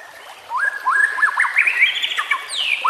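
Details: Captive-training song of the white-rumped shama, rich fluting whistles rising and falling in a continuous varied phrase over soft natural background noise.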